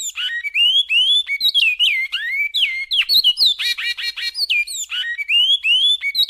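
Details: A Great-billed seed finch sings a classic Goiano-style song: a loud, continuous run of rich whistled notes slurred up and down, mixed with quick twittering phrases.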